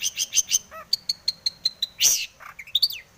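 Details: Long-tailed shrike lure song, described as full of varied phrases; a few high chirps, a low mellow note, a regular series of clear whistled pips, then a loud harsh burst and a rising whistle.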